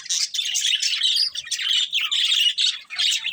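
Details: Lively budgerigar chatter of sharp squawks and raspy chirps in rapid clusters, nearly continuous, with a brief drop in volume near the end.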